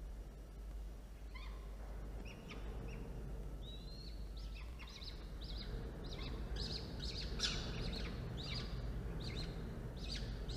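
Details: Falcon feeding two chicks at a nest after a prey delivery, 1:54 p.m., 13 October 2022: one whistled note, then rapid short chips, repeated roughly every half second and building in strength, over low steady background noise.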